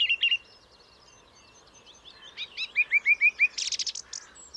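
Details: Song thrush singing a varied phrase: a brief chirp, faint twittering, then five clear, even notes repeated in quick succession, ending in a buzzy, rattling flourish.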